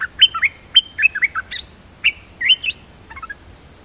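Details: Dok Taeng bird decoy song in the lak-boen style, repeated often. A quick run of bright, looping whistled notes that bend up and down, about a dozen in under three seconds, ending with soft low chips.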